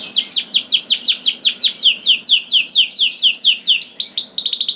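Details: Canary song intended to set other canaries singing: evenly repeated downward-sliding whistles about three per second, closing with a quick rising flourish.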